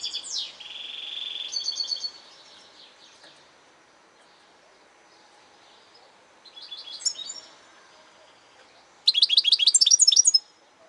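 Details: European goldfinch singing: a buzzy high trill at the start, a quiet gap, a short twittering phrase midway, then a dense closing burst of rapid, very high chirps.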